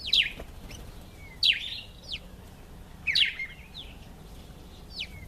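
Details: A Karoo thrush (Turdus smithi) sings to impress females, giving short, slurred whistled phrases with sharp downward sweeps, repeated every second or two, over a faint steady background hiss.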